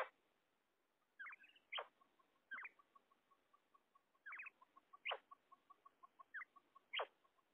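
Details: Female quail, kept for quail hunting, giving short rising chirps and sharp descending notes about every second or two, with soft pulsed ticks between them, over a quiet background.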